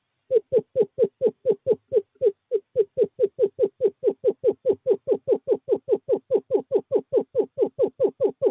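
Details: Male eastern screech owl at owl box 5 calling a female, courting season, 2/11/2023. Unbroken, very regular chain of some thirty low, slightly falling hoots, steady in pitch and volume.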